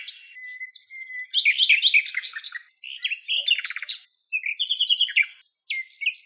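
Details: Wild common nightingale singing in Greece: a long pure whistle, then dense bursts of varied chirps and rattling notes broken by short pauses, closing with sharp whistled phrases.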